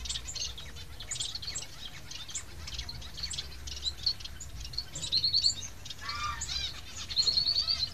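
Society finch chicks give thin, high chirps and rapid buzzy trills, bursts coming about every two seconds, over a low background rumble.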